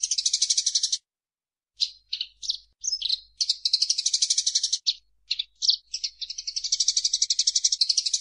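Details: A Eurasian tree sparrow sings in energetic gacor fashion as a master recording for songbirds: a rapid buzzy chirp train, a pause, scattered sharp chips, then long continuous high chattering to the end.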